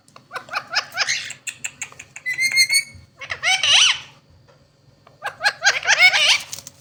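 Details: Talking Indian ringneck parakeet pair: a string of quick rising chirped syllables, a clear high whistled phrase, then loud warbling speech-like phrases with sliding tones, in two bursts separated by a pause.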